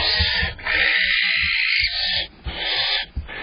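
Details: Barn owls during the night of 5 April 2023, the male supplying prey items to the female near dawn. A steady, rasping hiss runs almost continuously, broken by short pauses, with soft low bumps underneath.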